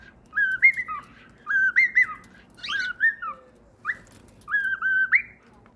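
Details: Cockatiel singing a tune of stepped whistled phrases, each a few level notes that jump up and then fall. Five phrases are separated by short silences.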